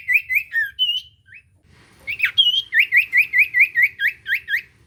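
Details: Lively common iora song played to provoke a quiet bird into singing: whistled phrases, a short gap, then a fast series of about ten hooked, upslurred chirps in steady rhythm.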